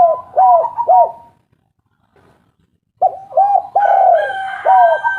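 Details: Local spotted dove used as a lure recording to make lazy birds start singing: bursts of low, husky coos in quick groups of three, a silent gap, then more coos with a steady higher tone layered over them.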